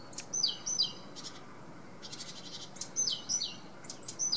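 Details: Great tit (Parus major) song of repeated two-note phrases, a high whistled note dropping to a lower one, given in short bursts, with a faint buzzy rasping sound in between.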